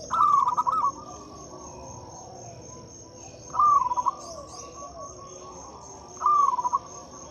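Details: Local zebra dove song meant to prompt silent doves to sing: three short bursts of rapid rolling coos, spaced about three seconds apart, over a quiet background with a steady high electrical tone.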